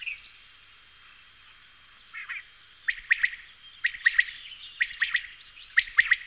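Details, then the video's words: Common quail song: crisp three-note phrases repeated roughly every second, four times in a row, after a soft, rough note and a high thin whistle at the start. "Canto Codorniz Común"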